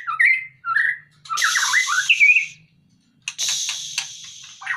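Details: White-rumped shama from a cage, taken out to slim down, sings whistled slurs followed by loud raspy, hissing chatter, a short silence, then more scratchy notes.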